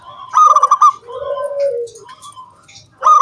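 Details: Zebra dove giving its crystal, round 'kung' song to coax other doves into singing: a quick stuttering series of bright pulsed notes, then a long lower coo sliding downward, then the pulsed phrase starting again.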